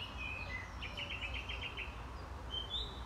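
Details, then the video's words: Song thrush singing in a duet with a blackcap at the square de la Butte du Chapeau Rouge (75019): a run of about six short, repeated whistled notes, with higher slurred notes around it and a steady low background hum. "Grive musicienne"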